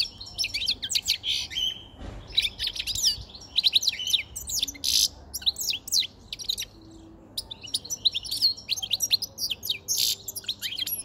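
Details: Caged male European goldfinch with a white chin, wild-caught five months earlier, singing near spring at the start of the breeding season: rapid, bright twittering with high chirps and trills, brief buzzy notes, continuous over eleven seconds.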